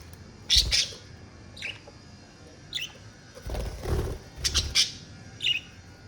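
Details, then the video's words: Budgerigars calling: short, sharp, high chirps given singly or in quick pairs, with some low thumping and rustling noises between them. "Parakeet sounds to relieve stress and relax"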